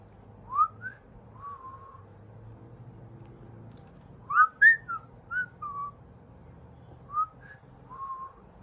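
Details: Pet parrot whistling musically: short clear whistled notes, some rising and some held, given in scattered bursts with a lively cluster in the middle and two final phrases, over a faint low hum.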